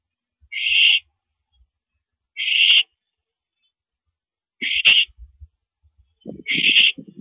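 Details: Owl calling at a mouse delivery on April 13, 2012, 9:17 PM: four harsh, hissy, noise-like bursts, each under half a second, spaced irregularly, with faint low thumps and rustling between.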